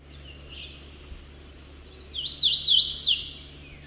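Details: Hooded Warbler song recorded with a shotgun microphone: a faint high slurred note, then a louder burst of quick, bright whistled notes ending emphatically, over a low steady hum.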